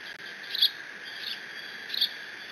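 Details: Bald eagle nestling on a Decorah nest camera squeeing over a fish from its father. Two or three brief, high squeaks spaced over a second apart against a constant hissing background.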